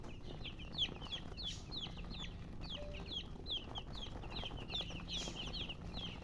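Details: Several young chicks give thin, descending peep notes in a continuous scattered stream, some louder and closer, with a faint low background hum.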